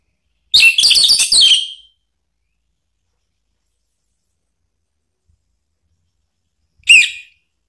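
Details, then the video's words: Orange-headed thrush lure recording meant to make a rival answer: a quick tumbling burst of bright, chattering whistled notes lasting about a second, long silence, then one lone sharp note. "bikin ANIS MERAH EMOSI NYAUT NGEPLONG ¦ PANCINGAN AM"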